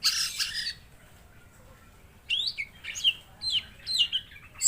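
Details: Mangrove blue flycatcher singing actively: a brief high buzzy burst, a pause, then a run of sharp whistled notes that slide up and down, spaced about half a second apart.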